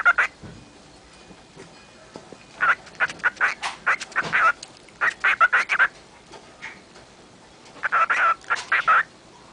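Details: Cockatiel mumbling to herself: bursts of short chattering, squeaky syllables in clusters of several notes, with pauses between groups, in a quiet indoor setting.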